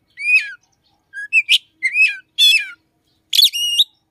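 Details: Morning song of the Oriental magpie-robin, reportedly with chim sâu đầu đỏ-like notes; five rich warbled phrases mixing rising and falling whistles with harsher chattering notes, delivered in quick succession with short pauses.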